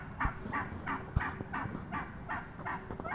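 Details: A wild turkey hen, recorded up close on 22 March 2017, gives a steady run of short, raspy, mid-pitched yelps, about three each second, over a few low thumps and background rumble.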